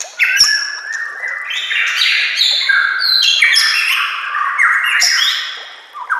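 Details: A white-rumped shama sings a training recording over nature sounds and trickling water, delivering a long run of varied whistles that slide and jump between pitches, dense and rich, fading at the end.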